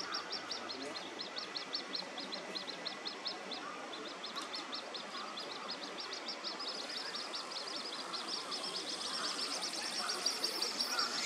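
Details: Little grebe chick calling while chasing its parent for food: a fast series of thin, high peeping ticks repeated several times a second, faint against steady outdoor background noise.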